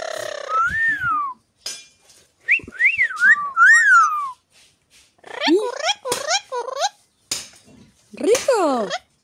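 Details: Talkative pet parrot with its owner indoors, in Argentina, saying many words: rising and falling whistled phrases, then a run of harsh, nasal, speech-like squawks sweeping upward, with the owner's voice prompting it between.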